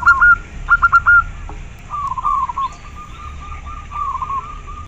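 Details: Local zebra dove (perkutut) song opening with two loud clusters of clipped cooing notes, followed by softer, rippling, trilled coos at an even pitch.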